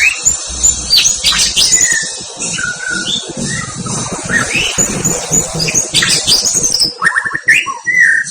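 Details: A white-rumped shama provoked by a rival gives rough rolling and tightly spaced shooting bursts: varied whistles, slurs and sharp notes delivered continuously. Strong background hiss and clatter accompany the song.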